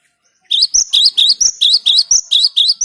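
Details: Cinereous tit song, a recording used as a lure for trapping birds: a fast, loud run of about ten sharp high chirps, each sweeping upward, evenly spaced over two and a half seconds, with no other sounds.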